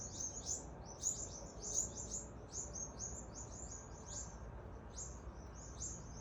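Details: Birds in Adelaide, Australia, chirping loudly as a rat chases them: rapid, very high, sharp chirps in quick bursts, several overlapping, with faint background rumble.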